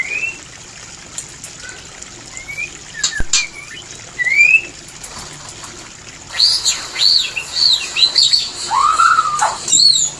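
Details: White-rumped shama mating call used to stimulate breeding; sparse rising whistles at first, then a lively run of high arched notes and a rich, downward-curving whistled phrase.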